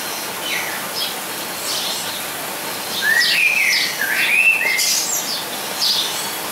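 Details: Blue-and-yellow tanager (Thraupis bonariensis) in an aviary at Weltvogelpark, Walsrode, Germany: a few thin upslurred and arched whistled calls mid-way, with soft chirps faintly in the background.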